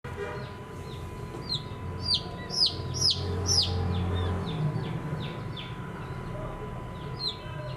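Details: Baby chicken chicks, colourful young birds, chirping: many high, falling peeps in quick series over a steady low rumble and a faint constant hum.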